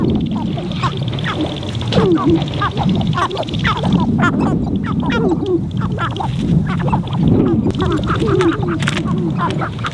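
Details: Sharp-tailed grouse displaying on a spring lek in Montana, recorded from a blind; a dense chorus of clucking, cackling calls and short rising yelps from several birds, over steady wind rumble.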